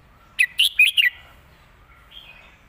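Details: A red-whiskered bulbul gives a 'mae bot' (master) song phrase with elegant phrasing: four loud, bouncy whistled notes evenly spaced, then a soft trailing warble.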